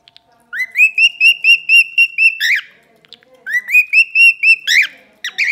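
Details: A male pet cockatiel in Ponce, Puerto Rico, sings a run of clear, repeated whistled notes, each phrase ending in a harsh burst.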